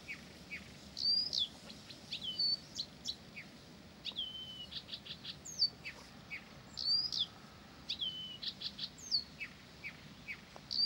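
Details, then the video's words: Blyth's reed warbler in nonstop song: bright high chips, short whistles and clicking notes in a lively, varied stream, some notes repeated in pairs, with a quiet background. "САДОВАЯ КАМЫШЕВКА НЕ В СИЛАХ ПОМОЛЧАТЬ!"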